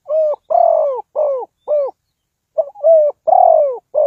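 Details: Spotted dove calling as a trapping decoy, repeating two rhythmic phrases of mellow, slightly falling coos, each phrase of four notes with a longer second note, separated by a brief silence.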